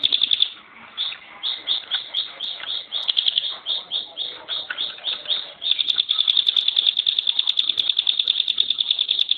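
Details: Shrill chattering bursts from a caged ciblek gunung (Bar-winged Prinia), a kept contest songbird, repeat steadily before breaking into a continuous, rapid, rattling trill of high, even notes in the dense 'tembakan' style.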